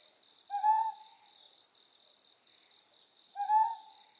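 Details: Ryukyu scops owl on Amami Oshima, Japan: two short, mellow hooting notes roughly three seconds apart, each slightly rising with faint overtones, set against a steady high-pitched insect drone.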